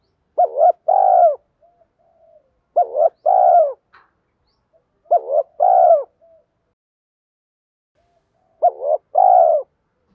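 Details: Lure call of a spotted dove, played to provoke wild doves into cooing: four matching phrases, each a quick double hoot followed by a fuller, slightly wavering coo, spaced roughly every two to three seconds, no other sounds.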